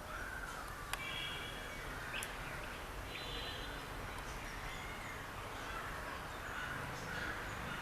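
Yellow-billed babblers give harsh, scratchy chattering calls in loose bursts over a steady hiss of background noise.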